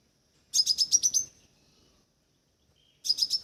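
A crimson sunbird gives a quick burst of about seven sharp, very high chips, then begins a second burst two seconds later.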